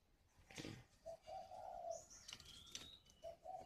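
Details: A caged, wild-caught spotted dove used as a decoy in Ba Vì, Vietnam, coos twice: a short note, a long smooth note, and a quick tail note, then the phrase restarts. Thin bird chirps sound in the background.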